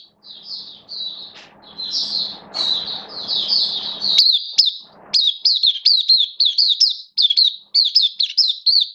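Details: Hobby-kept oriental white-eye from Singapore, slightly below its best form on 11 September 2022, singing long strings of thin high warbling notes that sharpen into crisp repeated down-slurred chips with faint background hum.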